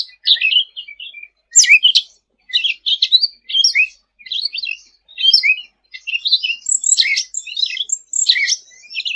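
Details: Sooty-headed bulbul in lively, persistent song, used as a tutor recording for training other songbirds: dense bursts of high chirps and short twittering phrases that come in quick clusters, with brief pauses between groups.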